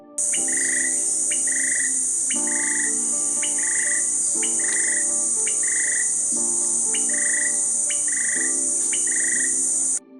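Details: A Green-backed Tailorbird, a shy, noisy Philippine endemic of undergrowth and thickets, recorded at Tarlac Eco Tourism Park, Luzon, repeats short, clear mid-pitched notes about once a second with lower rich phrases between, over a high insect drone.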